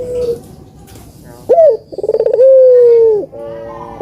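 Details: Spotted dove song used as a lure to stir lazy birds into singing: a sharp rising opening note, then a fast pulsed stutter of about eight beats, ending in one long, steady, slightly falling coo.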